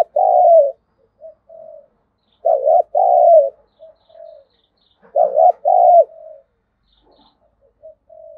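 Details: Lure spotted dove with a 'giọng thổ' style voice, calling to goad wild doves into fighting. Three loud, throaty double coos come roughly every 2.5 seconds, each trailed by softer, drawn-out coo notes.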